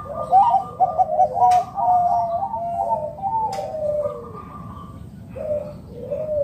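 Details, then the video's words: Calling zebra dove of local stock, used to coax other doves into singing, gives repeated stuttering coo phrases with falling ends, broken by two sharp knocks, over a low steady hum. "Perkutut lokal gacor RAJA PIKAT Ahlinya Bikin Semua Burung Perkutut Gacor Nyaut"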